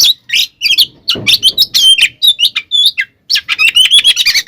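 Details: Oriental magpie-robin, a gacor kacer in full-fill fighting song meant to provoke rival birds: dense bursts of loud whistles, sweeps and harsh chirps, with brief gaps and one scratchy noise burst.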